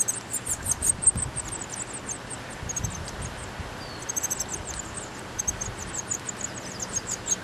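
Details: Baby birds in a backyard nest, heard in the morning as their mother brings food and tidies the nest, recorded with a Mini DV camera on a microphone boom: thin, very high chirps in quick, uneven bursts throughout, over a low outdoor rumble.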